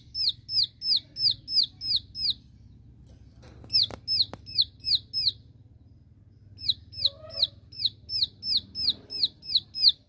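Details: Bar-winged prinia giving its 'tembakan' (shooting) song to call out rivals: rapid downslurred high whistles, about three a second, in three bursts separated by short pauses, with a faint low hum beneath.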